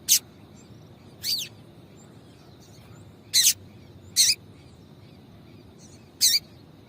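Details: Female double-collared seedeater calling to stimulate a male: short, high, sharp chirps given singly at irregular gaps of about one to two seconds, five notes in all, over a faint steady hiss.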